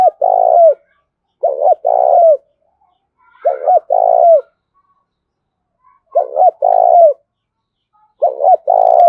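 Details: Spotted dove decoy bird calling energetically to lure wild doves, repeated low cooing phrases: two short coos then a longer wavering coo, roughly every two to three seconds, with faint chirps from other birds between.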